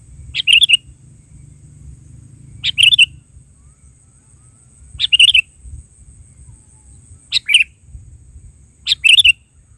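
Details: Sooty-headed bulbul repeating a short bubbly phrase of quick chirps roughly every two seconds, five phrases in all, clear against a faint low hum.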